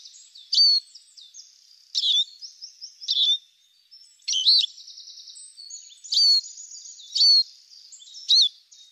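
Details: Al-Na'ar, the Arabian babbler, in a recording for training and hunting: repeated loud, high, sharply bent chirps roughly every second, separated by fainter buzzy trills, with no other sounds.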